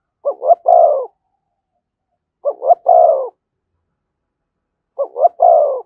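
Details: Thúc gù cooing of a spotted dove near a decoy bird, three evenly spaced phrases about two seconds apart, each two short rising coos and a longer sustained coo, otherwise quiet.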